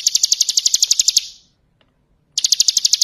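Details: A bar-winged prinia singing in ngebren style as a master song for other birds: a quick run of sharp, high chips, a second of silence, then another fast run begins.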